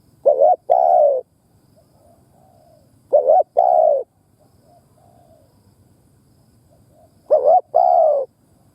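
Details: Spotted dove used as a decoy bird, cooing to excite other doves. A two-part phrase, a short quavering note then a drawn-out low coo, is repeated three times with pauses of about three seconds. Faint murmur between phrases.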